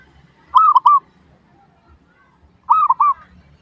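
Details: Lure song of a zebra dove, played to make other doves respond: paired phrases of three mellow, purring coos, long first note then two shorter ones, roughly two seconds apart over a quiet background.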